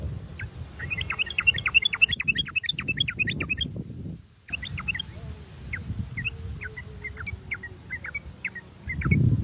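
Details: Sooty-headed bulbul lure recording meant to make other bulbuls sing: long rapid strings of sharp, high chirps, pausing briefly, then sparser notes over steady low background noise.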